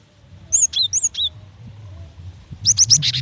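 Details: Female cinereous tit calling the male: several whistled notes falling in pitch, a pause, then a rapid string of buzzy chips, over low background hum.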